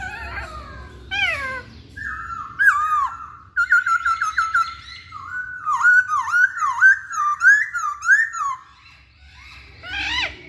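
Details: Masked laughingthrush singing, played to provoke other birds to sing: varied clear whistles, then a long run of repeated dipping, looping notes over several seconds, ending in a brief rising phrase. Background otherwise quiet.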